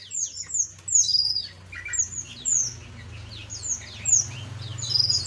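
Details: Small aviary birds give a clear series of high, sharp, downslurred tweets, several birds overlapping, with a steady low hum behind them.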